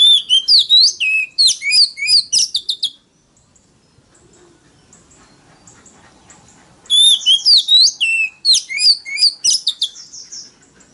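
Oriental magpie-robin singing loud, varied phrases of sweet whistles, trills and sharp chirps in two bursts of about three seconds, with a quiet pause between.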